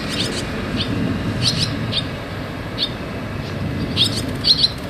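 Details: Barn swallow chicks moving in and out of their nest: short, high, sharp chirps in loose bursts, some doubled, roughly two per second, over a steady low rumble of background noise.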